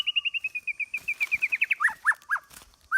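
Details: White-rumped shama singing in the forest-voice style. A fast run of about fifteen short, even notes is followed by three or four louder slurred notes that drop in pitch.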